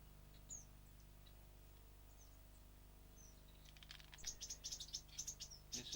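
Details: Blue-capped cordon-bleu male noisy beside six just-fledged, foster-reared chicks in an aviary: thin, very high-pitched calls, a few scattered notes, then a quick run of squeaky tsee notes near the end, over a steady low hum.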